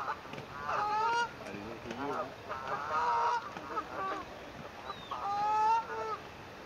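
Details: Swan family with newly hatched cygnets on their first day, 9 May 2024, phone recording: bursts of nasal honks roughly every two seconds, each with a clear tonal streak, brief gaps of quiet between.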